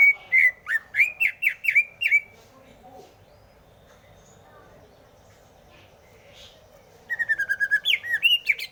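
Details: Greater green leafbird sings warbling, looping whistled phrases, then falls silent for several seconds. It resumes with a quick, rippling series of whistles and slurred notes.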